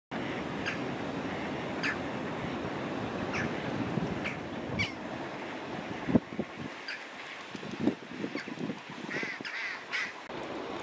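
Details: Gulls fighting in Pskov on 7 March 2018: harsh, repeated squealing and yelping cries from several birds, irregular and overlapping, over steady low rumbling background noise.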